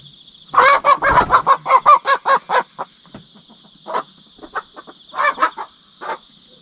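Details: During a pecking-order fight between two hen sisters born two years apart, newly put together and raised from chicks, with the older one winning: rapid run of loud, raspy squawks about four per second, then scattered shorter cries, insects buzzing throughout.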